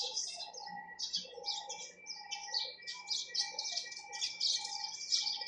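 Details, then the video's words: Sparrows chirping continuously, a dense run of short, sharp, high chirps in quick clusters, alongside a faint repeated mid-pitched tone. "চড়ুই পাখির কিচিরমিচির শব্দ Chirping sound of sparrows"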